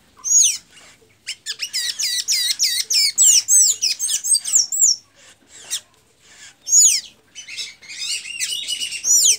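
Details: Blue-gray tanager from Santa Inês, Maranhão, Brazil, singing vigorously: a long run of rapid, thin, squeaky twittered notes sliding up and down, broken by a few brief pauses.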